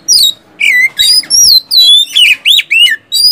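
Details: Kacer, the oriental magpie-robin, in lively ngeplong song for prompting quiet caged birds; strong whistled phrases, each about a quarter second, dipping and rising in quick succession.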